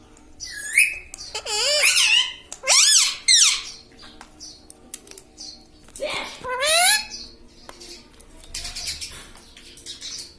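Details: Pet talking parrot, which says 'mitthu' and 'mummy', gives several loud rising-falling speech-like calls in the first half and one more phrase later, over a low hum and faint background sound.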